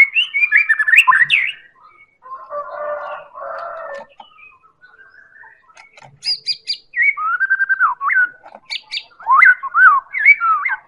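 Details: White-rumped shama, Medan type, used as a singing lure: varied, warbled whistles open, followed by a harsh chattering section, scattered thin high notes, and then more looping, melodious whistled phrases with short sharp chips.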